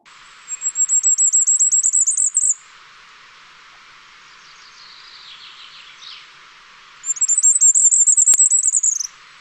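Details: A male firecrest sings two very high, thin phrases of rapid repeated notes, each holding its pitch and ending in a small discreet flourish, separated by a quiet gap with a faint distant call.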